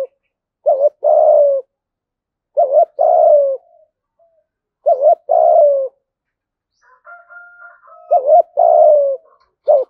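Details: Cooing of a spotted dove kept as a decoy and trained every day: phrases of a short note then a drawn-out, slightly falling coo, repeated about every two seconds, with a faint thin whistle in one gap.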